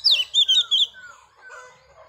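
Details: Female Oriental magpie-robin singing to stir males: several bright, high, quickly slurred whistles in under a second, then fainter, lower drawn-out whistles fading away.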